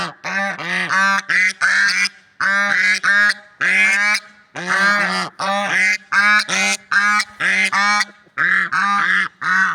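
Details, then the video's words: Nearly continuous bugling swan honks in nature. Short two- and three-note bursts follow one another with barely any pause. "Funny Sounds and Noises of Lovebird Swans in Nature"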